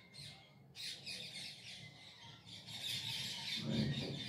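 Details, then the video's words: Parrots at dusk in the city of Bangalore, India, giving loud grating squawks in quick succession, a harsh chattering burst building toward the end, above a low background hum. "ಗಿಳಿಗಳ ಕಲರವ ಮುಸ್ಸಂಜೆಯಲಿ ಬೆಂಗಳೂರಿನ ನಗರದಲ್ಲಿ.Parrots musical evening near my home @Bangalore city"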